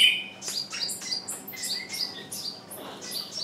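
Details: Decoy bird calling to lure wild birds that stay out; a brief passage of regularly spaced high falling chirps, about three per second, with a louder opening note.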